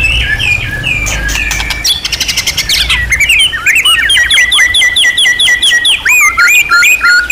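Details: White-rumped shama, champion class, on a master tutoring recording packed with rich imitated material. Dense rattling bursts give way to long runs of rapid, repeated slurred whistles and sweeping flourishes, with a low rumble at the start.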